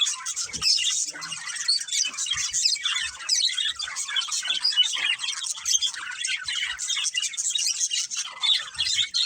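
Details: Chattering budgerigars from a breeding pair, giving a steady stream of high, scratchy twitters and squeaky chirps with no pauses, a few faint low knocks underneath.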